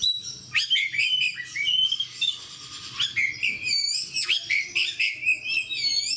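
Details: Oriental magpie-robin (kacer) kept as a fighter cage bird pours out continuous high, varied song: quick whistled slurs, buzzy trills and crisp chip notes in steady bursts, with almost no background noise.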